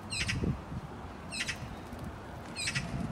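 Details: Magpies bathing in a duck pond: three short, harsh, rasping chatter bursts about every 1.2 seconds, over steady low splashing and water noise.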